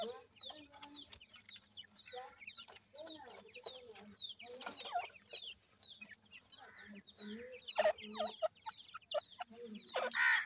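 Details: Grey francolin chicks during feeding, many calling at once: a dense run of rapid high peeps and chirps, some sliding up, others dropping, over low repeated clucks, with louder bursts of noise near the end.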